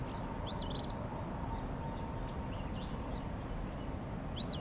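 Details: Near meadows and wetlands at Spring Lake, an Eastern phoebe calls its own name, two buzzy, zigzagging fee-bee phrases roughly four seconds apart, with low background roar and a constant thin high tone.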